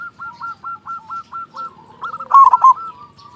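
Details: Zebra dove used as a lure to make other doves sing: a string of quick evenly spaced rolling coos, then a louder stuttered phrase and softer trailing notes.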